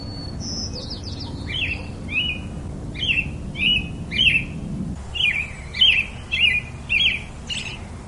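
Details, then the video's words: A robin sings a high, varied run of thin whistles and quick warbled phrases, about two a second, over a low background rumble that fades halfway through. "Very versatile melody of the pretty Robin bird"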